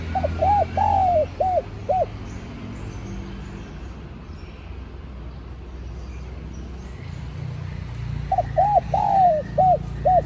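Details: Spotted dove call played to attract wild doves and prompt caged birds to coo: a phrase of short hoots and one long falling coo, repeated after about six quiet seconds.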